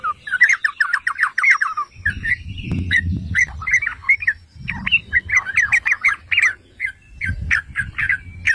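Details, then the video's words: Yellow-vented bulbul singing to goad other bulbuls into song: a fast bubbly burst, then choppy phrases of liquid, slurred notes broken by brief gaps, with low rumbling noise at times. "Pancingan dan Masteran Trucukan"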